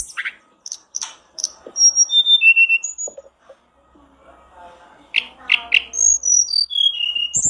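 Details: Blue flycatcher recording played as a lure to prompt other birds to sing: sharp high whistles, then a falling series of clear notes, a quieter gap, then a rapid run of descending whistled notes.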